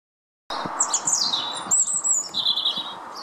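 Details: Lesser redpoll feeding at a Nyjer feeder in a garden in Howdon on 3 May 2016: quick, high chirps, then thin descending whistled notes and a short buzzy trill, over a steady low background hum.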